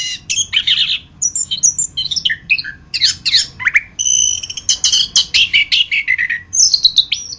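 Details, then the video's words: Orange-headed thrush, called anis kembang, in a masteran tutor song for training other birds: a rapid, varied run of high chirps, squeaky trills and sharp whistled notes in short bursts, with brief pauses between phrases. "Masteran Burung Anis kembang"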